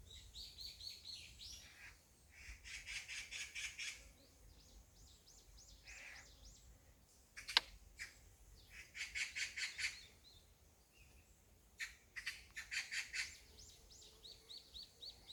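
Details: Magpie calling close by along a mountain path lined with blooming wild roses, filmed May 23: bursts of harsh, rapid rattling chatter lasting one to two seconds, repeated with short pauses, plus one sharp click.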